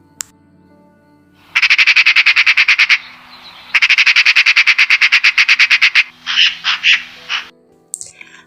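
A Eurasian magpie gives harsh, rattling chatter in two fast bursts of about ten notes a second. A few slower, rasping notes follow.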